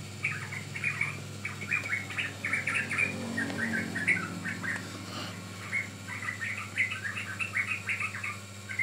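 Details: Training recording of sooty-headed bulbul: rapid bubbly chirps delivered in busy phrases, a brief lull with a soft rustle midway, then more bright squeaky notes over a low hum.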